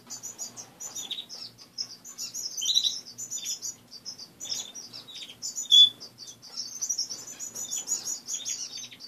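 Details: Several pet finches in a cage, heard one morning after waking, give many short high chirps and twittering notes, with brief buzzy trills in between, overlapping steadily throughout, plus a faint low indoor hum.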